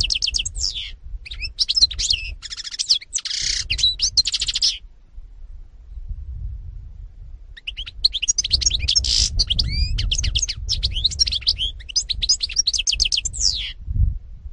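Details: European goldfinch, 2018, delivering long phrases of rapid tinkling twitters, buzzy rattles and liquid trills, with a silent gap midway and low-frequency background noise beneath.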